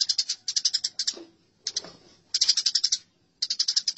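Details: Quarrelling house sparrows make short clusters of sharp, high chirps, four or five notes each, with a softer scratchy sound between clusters.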